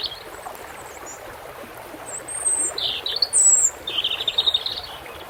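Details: European robin song with running water behind it: a thin high whistle, then a wavering, liquid phrase of rapid notes, and a final fast jingling run.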